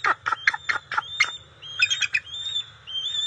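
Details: Bald eagle at the NCTC nest on June 27, 2021, as the resident female delivers fish to the eaglets: a quick run of sharp, staccato chirps followed by thin, high whistled notes held steady, with a low rumble underneath.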